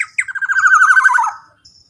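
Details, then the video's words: Black-naped oriole, used to prompt other orioles to sing, giving a sharp opening note and short hiccups that merge into a steady, fast, buzzy pulsed run, dropping in pitch at the end. "kicauan POWER suara KEPODANG GACOR super KERAS LANTANG cocok untuk pancingan kepodang emas"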